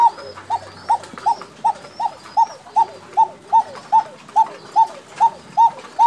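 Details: Bashiraj koka fancy pigeon from Tangail, Bangladesh, giving a steady series of short rising-falling mid-pitched notes, about two or three per second, with faint background noise.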